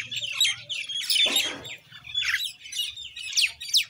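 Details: Common Indian myna calling in a rough, buzzy chatter, with a harsh rasping squawk near the middle and two clear, sharply falling whistles at the end.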